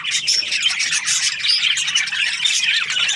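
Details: Several budgerigars, Australian parrots in breeding pairs, give rapid high chirps and short whistled squeaks over a constant background of scratchy group chatter.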